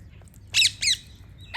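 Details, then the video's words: Parrots chirping: two harsh, bright squawky notes in quick succession, then a rising third note beginning, over a faint low hum. "Amazing parrots Chirping sound"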